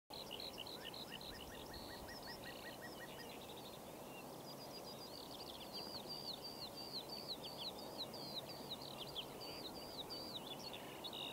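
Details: Common snipe at a flood pond: a fast, rhythmic run of sharp, high hooked notes repeated several times a second through the second half, after a lower chirping series and other bird notes early on, over steady broadband background noise.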